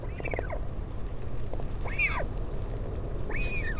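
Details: At a northern royal albatross nest on Taiaroa Head near Dunedin, New Zealand, during a parent's visit to its chick on 16 July 2019, three short arched whistles sound over steady wind roar.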